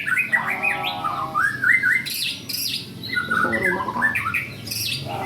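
A white-rumped shama sings a rich, rapid run of varied phrases: loud rising and falling whistles mixed with harsh, chattering notes, with hardly a pause.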